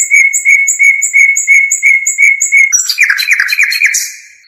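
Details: European goldfinch song used for tutoring young birds: a clear note repeated steadily about four times a second, then a quick jumble of twittering and buzzy phrases. No other sounds.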